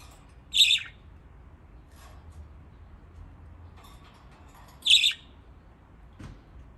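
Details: Two rasping chirps from pet budgies enjoying a water bath in Japan, several seconds apart, with soft splashing and ticking sounds in the gaps.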